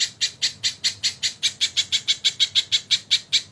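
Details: Short burst of crested jay song from a tutor recording with kingfisher fills, singing energetically: loud, harsh, evenly spaced notes, about five per second, crisp and repetitive.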